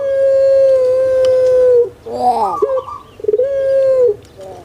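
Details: Captive puter pelung spotted dove from Indonesia holds a smooth, level, harmonic coo for nearly two seconds, then breaks into rolling warbled notes and starts another sustained tone.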